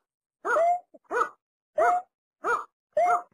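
A Watercock gives five short, hollow, nasal notes, each about a third of a second, spaced roughly every 0.6 seconds, with no other sounds.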